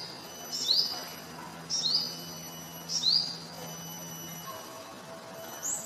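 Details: Yellow-bellied sunbird singing as it feeds on nectar: three sharp rising high notes spaced about a second apart, then a softer call, with a faint low drone underneath.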